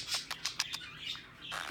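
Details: A pet male budgerigar gives his kisses sound effect, learned from being kissed often: a run of sharp, smacking clicks like little kisses, then a brief warbling chatter.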